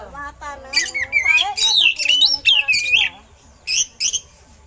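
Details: Oriental magpie-robin song with eagle-call imitations, used for training other songbirds: loud, rapid run of sliding, warbled whistles and sharp high notes, with brief high chips near the end over fainter lower harmonic chatter.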